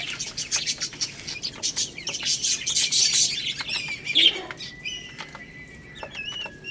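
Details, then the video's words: Baby chickens eating rice: rapid dry pecking clicks and rustling, with thin high chirps and a few short falling peeps, then a long steady whistled tone near the end. "Cute Baby Chicken Chirping Sounds"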